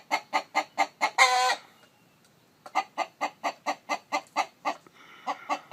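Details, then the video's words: Chicken with a hen sitting on eggs nearby: a quick run of clucks into one loud squawk, a pause, then a long, steady string of about fifteen evenly spaced clucks. "Gà trống kêu mái ấp trứng, âm thanh gà gáy"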